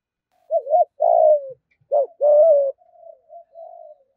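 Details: Spotted dove in 'thúc gù' cooing style, used to lure wild doves in to fight. Low, mellow coos in pairs: a quick bent note, then a sustained falling coo. Softer, quieter coo fragments trail off at the end.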